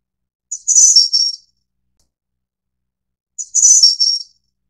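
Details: A Snowy-browed flycatcher of the Taiwan endemic subspecies repeats a high, sibilant phrase twice, about three seconds apart: short lead note, slight gap, then buzzy trilled notes descending in two steps, in silence.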